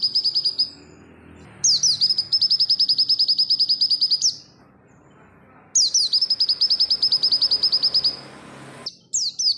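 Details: Master recording of oriental white-eye 'barbara' song for tutoring other birds: repeated bursts of rapid, high, ringing chirps, each opening with a slurred swoop, with quiet gaps between.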